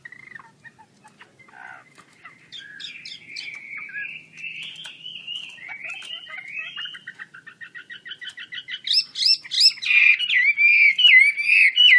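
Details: Chinese hwamei, wings spread, building its song: soft scattered whistles and trills at first, a rapid run of repeated notes, then loud, high, ringing whistled phrases toward the close.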